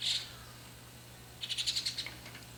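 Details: Juvenile White-cheeked starling calling: a short high harsh burst, then a quick run of about eight raspy, chattering notes over roughly half a second, with a steady low hum behind.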